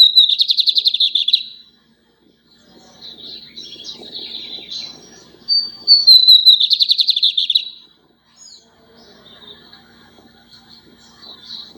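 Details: A captive lined seedeater singing a lot: two bright, fast buzzy trilled phrases, high-pitched and clipped, with softer twittering and a faint low hum between them.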